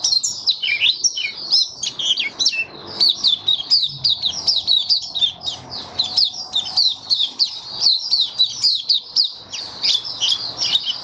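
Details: White-eye kept in a cage, singing openly on 23 March 2022 while its feeding is adjusted for warm humid weather; a long, unbroken run of rapid, high, twittering notes with slurred up-and-down shapes.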